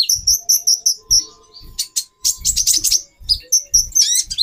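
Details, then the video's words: Female brown-throated sunbird kept in captivity, calling to raise a male's mating urge: evenly spaced piercing double chirps, then a scratchy burst of twittering, over faint low thuds. "Burung Konin Betina 4x terapi birahi. menaikan birahi jantan"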